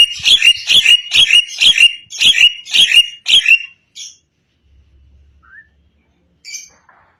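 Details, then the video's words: Newly caught wild white-eyed Javan myna (Acridotheres javanicus) singing loudly straight away: eight loud, harsh, scratchy notes about twice a second, then a few faint chirps and soft squawks after a pause. "Dapat burung bandangan langsung gacor... !!! ( jalak kebo mata putih)"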